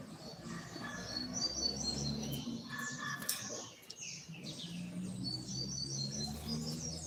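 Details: Coleiro seedeater in the tui tui curto song style, third note: sweet high whistles run into quick rising and falling phrases, pausing briefly midway before resuming, with a low hum beneath.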